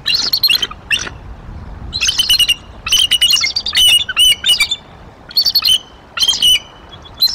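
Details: Adult female bald eagle at a nest in Decorah, mid-April 2023, giving bursts of high, thin chirping chatter in repeated clusters, with short silent gaps between each series.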